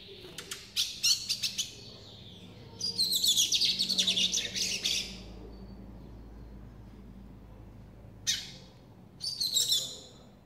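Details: Brown-plumaged lined seedeater hatched in April 2018 and kept in captivity, giving a series of quick high twittering bursts: a stuttered opening, a long buzzy warbling phrase, then two short sharp flourishes after a pause.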